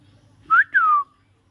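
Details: Talking parrot eating chilli gives a loud two-part whistle, the first note rising sharply and the second sliding downward, then silence with faint low hum.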